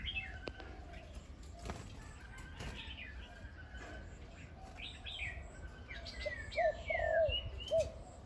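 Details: A trained decoy spotted dove gives a few deep, hollow coos near the end, among busy chirping and whistling from other small birds.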